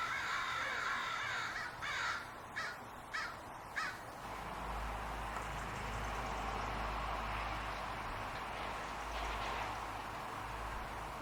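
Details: Crows near a large walnut tree in Portland on a spring evening; several hoarse caws in the first four seconds, then fainter distant cawing under a low rumble and broadband outdoor noise.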